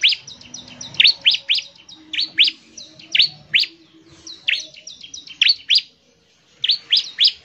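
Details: Bar-winged prinia (ciblek) in vigorous full song intended to prompt other birds of its kind to sing, delivering rapid strings of piercing downward-slurred notes broken by short gaps, with faint high twittering between phrases.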